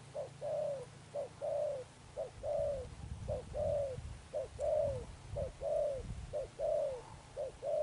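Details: Spotted dove, a wild-caught bird, cooing in the Đồng Pha Sấm style with Sấm Thổ tone: paired coos, a clipped note then a longer falling one, repeated about once a second with steady rhythm, low rumbling noise behind.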